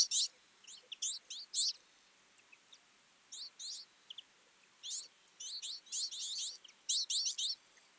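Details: Twites (Carduelis flavirostris), a flock feeding in winter, give bursts of quick, high, twittering chirps, several birds overlapping in clusters every second or so, with quiet gaps between.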